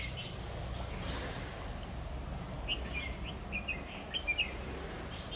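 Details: Red-whiskered bulbul singing competitively as a trap decoy on 10 October 2019; after a quiet start, a fast string of sharp, chirpy whistled notes in the second half, with steady low noise underneath.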